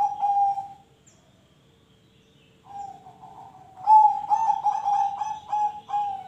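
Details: Zebra dove song, used to lure other birds into singing: a short steady coo, a pause, then a longer phrase of rapid pulsed coos on one mid pitch ending in a held note, over a faint low hum.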